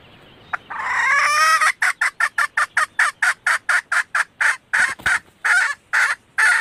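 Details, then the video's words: Female red junglefowl calling, recorded as a lure to draw males: a long drawn harsh note breaks into a steady run of about eighteen short, clipped clucks, roughly three per second. "suara ayam hutan betina merah asli/The sound of the original red female jungle fowl"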